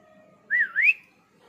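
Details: Pet ringneck parrot producing one clear two-part whistle, a short up-down slur followed by a higher rising sweep, against a quiet background with a faint hum.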